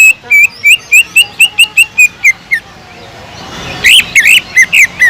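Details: Greater green leafbird with kingfisher-imitation notes: a brisk, even series of clear, clipped whistles about four per second, a brief pause, then louder harsh, buzzy notes.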